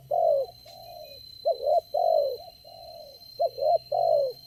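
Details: Wild spotted dove, the only one calling at a trapping site, answering a lure bird with repeated hoarse coos: a doubled short note then two longer level coos, the phrase repeating, over a steady faint hum.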